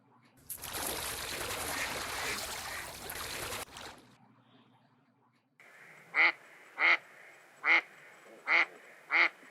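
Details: Female mallard at a beaver pond in early spring, quacking to advertise readiness to mate while a male chases her; a rushing, noisy stretch gives way to quiet, then five loud, evenly spaced nasal quacks.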